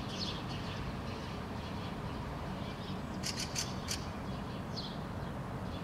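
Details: Fieldfare (Turdus pilaris) perched in an apple bush in Helsinki, Finland, in June 2013, giving a quick run of four harsh, dry chacks over steady low wind or traffic rumble, with a few faint higher squeaky notes.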